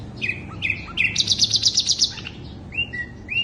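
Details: Song of a sikatan londo flycatcher, played to draw birds in: a few short whistled slurs, then a fast, even series of bright trilled notes lasting about a second, followed by two rising whistles.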